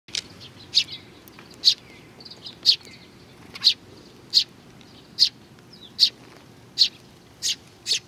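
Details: Several sparrows coming to be fed at Tenmangu shrine, Nakanoshima, on 21 June 2020; sharp high chirps repeated roughly every second, with fainter chirps between.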